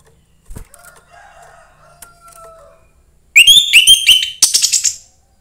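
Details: Young forest orange-headed thrush singing to stimulate other thrushes: after a quiet stretch of faint, thin tones, a loud burst of rapid whistled and chattering notes, then a shrill, buzzy, scratchy run at the end.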